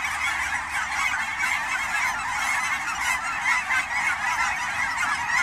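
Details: Large flock of migrating Canada geese in autumn at Fern Hill Wildlife Area's ponds, Willamette Valley, Oregon; thick overlapping honking throughout, with several clearer individual honks rising out of the mass.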